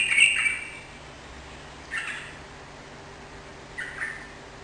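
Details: Sooty-headed bulbul, played to get a kept bird answering and singing; three short bubbly whistled phrases spaced about two seconds apart against faint background hiss and a low hum.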